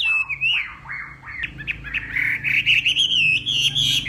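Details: Hwamei from northwest Vietnam in contest singing, morning practice; sliding whistles and chattering notes build into a quick, rising, warbled run, with faint low hum beneath.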